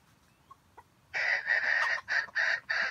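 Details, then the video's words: After a second of near quiet, a red junglefowl used as trap bait bursts into a rough, stuttering crow of several harsh segments broken by short pauses. "The bait of the wild chicken trap crows with a stuttering voice that sounds like grinding"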